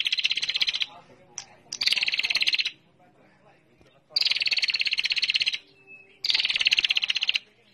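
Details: Female bar-winged prinia lure call in harsh, buzzy bursts of rapid ticking pulses, four bursts in under eight seconds, with a brief high whistle between two of them.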